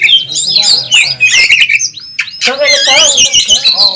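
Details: Champion Oriental magpie-robin in aggressive fighting song at a bird contest, packed with fill-in phrases: quick slurred whistles and rattles, a brief lull, then a burst of harsh, layered squawking notes followed by more fast whistling.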